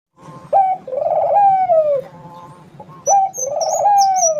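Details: Barbary dove singing vigorously: two cooing phrases, each a short clipped note followed by a long, husky, rolling coo that swells and then slides down. High thin chirps from another bird sound over the second phrase.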